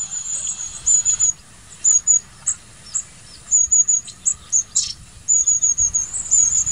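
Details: Long-tailed tit uttering clear, piercing high seee notes in quick clusters separated by brief pauses, fairly close and loud.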